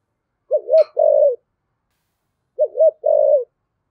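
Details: Deep-voiced 'giọng thổ' spotted dove cooing twice, each phrase a brief wavering double note and a sustained mellow coo falling at the end; a faint click sounds at the start of the first phrase.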